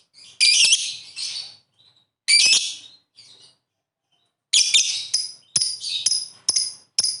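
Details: Lovebird calling ngetik ngekek to set rival birds singing: irregular loud, harsh, squawky chattering bursts broken by silent gaps, ending in a quick series of short sharp notes.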